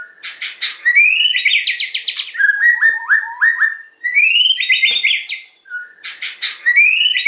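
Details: White-rumped shama song with rising whistled sweeps followed by rapid repeated notes and descending slurs, the phrase pattern repeated about three times.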